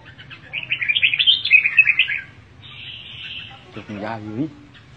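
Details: Red-whiskered bulbul, one of two birds said to be greeting each other: a quick bubbly warbled phrase of rising and falling notes, then a softer sustained tone and a short harmonic, downward-bending call near the end, low hum beneath.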